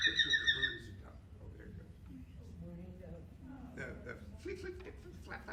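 Mourning Dove wings give a quick run of about five high, squeaky twitters on take-off, lasting under a second, followed by a man talking.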